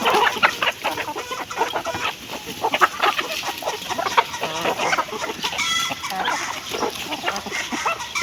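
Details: Chickens clucking as they eat, a dense overlapping chorus of short clucks and clicks from several birds, with occasional sharper squawks.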